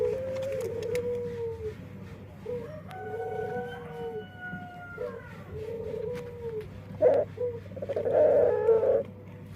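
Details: Dove with an odd voice, heard as repeated long moaning notes, each held a second or two with short gaps, then a rougher, louder burst near the end.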